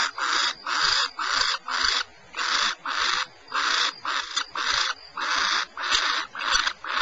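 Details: Rasping, breathy bursts from barn owls at Starr Ranch, California, come in quick uneven succession, about two each second, loud and close with clean pauses between.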